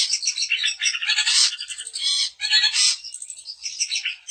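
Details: Daput long-tailed shrike singing to trigger other shrikes: unbroken medley of squeaky, scratchy and buzzy notes, swelling into several loud harsh bursts.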